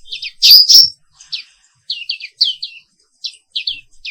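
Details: Morning therapy song of a black-capped white-eye: a loud ringing double whistle opens, followed by a string of fast, high, slurred chirps in small clusters.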